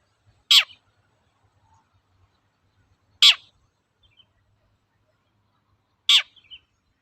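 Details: Long-tailed shrike heard on a lure recording for training birds: three sharp, loud downward-sweeping squeaks, each separated by nearly three seconds of silence.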